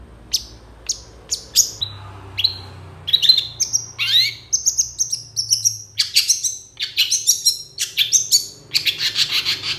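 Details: Long-tailed shrike in vigorous song full of mimicry: thin high whistles and clicks that build into a rapid, varied stream of chirps, trills, rising sweeps and buzzy notes, loud and continuous toward the end.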